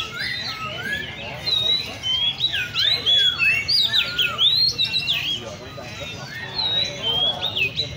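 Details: Caged Oriental magpie-robins at a bird cafe in Le Thi Rieng park. They sing in varied bursts of twisting, looping whistles and short chirps that swell midway, then thin out to scattered high notes.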